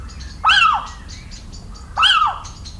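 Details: Recorded on 17 March 2019 in rural central France, a little owl repeats a sharp, plaintive mewing cry twice, each bending up then falling away, spaced roughly 1.5 seconds, while soft distant bird notes flicker in the background.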